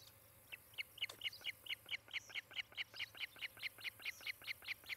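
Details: Nesting osprey pair in Charlo, Montana, filmed by a nest cam on 18 July 2018 at about half past ten: an even string of clipped, piping whistles, roughly two to three per second, steady in pitch, with a soft electrical hum behind.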